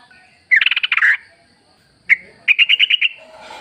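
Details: Forest yellow-vented bulbul, wild, used as a lure for caged birds; a fast buzzy burst of crowded notes, a single sharp chirp, then a short run of about six clear repeated chirps.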